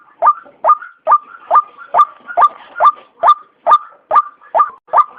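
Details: Repeated 'kru-ak' notes from a white-breasted waterhen, used as a lure for trapping. Each is a short mid-pitched syllable with a falling sweep, delivered evenly about every 0.45 seconds, with no other sounds.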